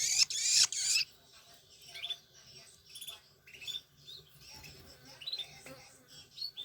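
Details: Young long-tailed shrikes from Banyuwangi squabble over food while being fed by hand. An intense hissing screech lasts about a second, then gives way to quieter chattering begging notes.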